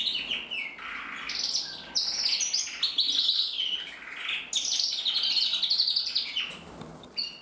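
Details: Male red-mosaic agate canary, 2024, singing a fast, continuous run of bright trills, chirps and rolling phrases, high-pitched and varied, with brief pauses between bursts.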